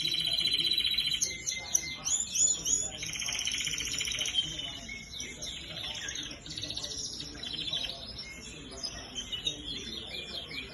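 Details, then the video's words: Red and yellow canaries singing together: dense high twittering, trills and sustained whistled notes, loud for the first four seconds then softer, busier chatter with overlapping voices. "canários vermelhos e canários amarelo"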